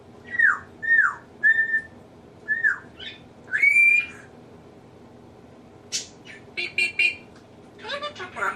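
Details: Pet African grey parrot, male, indoors, which mimics household sneezes, laughs, burps and nose blowing; here a run of clear whistled notes, several sliding downward, then a spell of quieter chattering and squeaky mimicked sounds.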